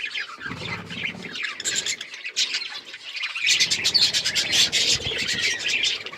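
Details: Colourful budgies chirping: quieter scratchy chatter at first, then a louder, denser outburst of rapid buzzy and squeaky notes from several birds.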